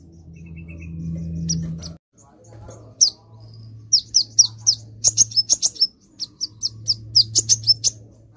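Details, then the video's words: A sunbird gives high, thin, sharp and sweet chirps in quick bursts of several notes a second, over a low steady hum. "bunyi kolibri ninja"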